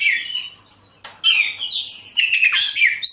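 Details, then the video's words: Lure song of an Oriental magpie-robin, Bekasi, used to provoke other birds into singing: a continuous, varied stream of bright whistles and harsher buzzy notes, with a short break before a fuller run of shifting tones. "pancingan suara kacer"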